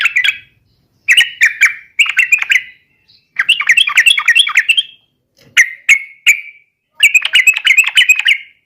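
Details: Yellow-vented bulbul sings to provoke rivals, in repeated short bursts of chirpy, bubbling notes with a longer rolling phrase midway and brief clipped calls between silences.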